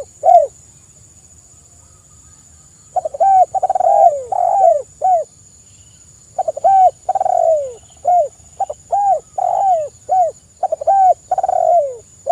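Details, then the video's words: Spotted dove singing loudly, used as a lure to prompt other doves to call: mellow, arched cooing notes in irregular phrases, some drawn out and falling, with pauses between bursts and a steady faint high hiss. "TEKUKUR GACOR suara merdu"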